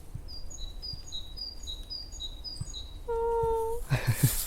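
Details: Great tit sings high, bright two-note phrases, repeated quickly and evenly, in early-spring countryside forest while wild chives are foraged, still cold; then a low steady tone and rustling handling noise end the passage.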